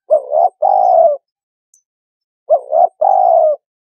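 A turtle dove gives two low, soft cooing phrases about two seconds apart, each a quick double coo then one longer drawn-out coo. Nothing else is heard.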